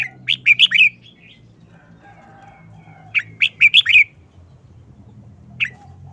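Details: Caged red-whiskered bulbul singing a quick wild-song style: bursts of four or five sharp, bright whistled notes ending in a warble, repeated after a pause, with a lone note at the end and a faint low hum.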